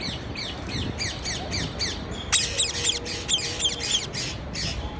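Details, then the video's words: Rapid strings of bright, downward-slurred parakeet chirps, several birds seemingly overlapping in a busy chatter, with low rumbling background noise throughout. "Parkeet Birds Sound"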